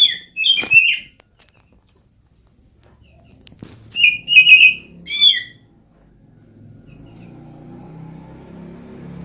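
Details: Oriental magpie-robin giving a cat-like lure song meant to make other birds sing: whistled phrases at the start, a quick run of three or four sharp notes after a pause, one more note, then a low hum.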